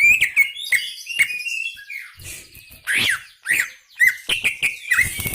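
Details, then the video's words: Greater green leafbird singing vigorously (gacor): slurred whistles and sweeping notes interrupted by loud harsh, rasping bursts, with quick chattering phrases near the end. "BURUNG CUCAK IJO GACOR"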